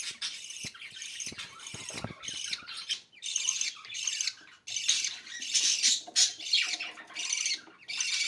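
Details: Budgerigars chattering almost without pause: dense, scratchy, buzzy warbling with frequent brief squawks, the sound rising and falling in uneven waves.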